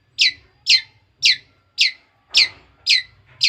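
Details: Young long-tailed shrike, raised from a chick a few months earlier, now beginning to sing: seven harsh, buzzy notes that sweep downward, repeated steadily about every half second, with faint low background hum.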